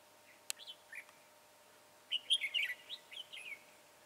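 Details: During a red-whiskered bulbul trapping session with a decoy bird, 22 January 2018: a few scattered whistled notes, then a fast run of liquid, warbled phrases with quick up-and-down inflections, one sharp click early on.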